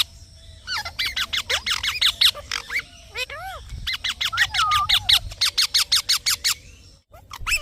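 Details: Fast runs of piercing screeches from a green parrot, with a few lower, arching whistled notes mixed in and a steady low background hum.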